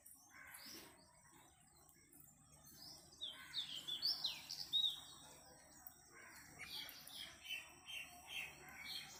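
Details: Parrot chirping in bursts: clusters of sharp, high, downward-slurred whistles around the middle, then a second series of quicker repeated chirps near the end, with a low rumbling hum underneath throughout.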